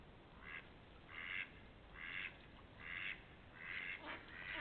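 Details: Distant duck calling in spring 2021, 28 March to 3 April, with faint, rasping quacks repeated at a fairly regular pace of about one per second beneath a hissy background.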